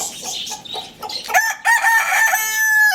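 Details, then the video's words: Lohmann Brown rooster at Lalukhet bird market crowing loudly; after a second of busy high chirping from small caged birds, one drawn-out harmonic crow rises and holds steady for about a second and a half, with chirps continuing beneath. "Rooster Crowing Sound Effect"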